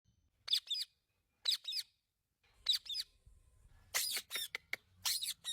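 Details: An Indian ringneck parrot, talking for the first time, gives shrill, high paired chirps about once a second, then bursts into a louder run of harsh, squawky talking notes.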